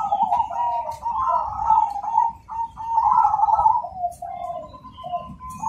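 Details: Zebra dove of the cemani variety, singing actively with a loud, clear, rhythmic voice. Two bursts of low rolling coos, then softer falling notes, with occasional faint high chirps.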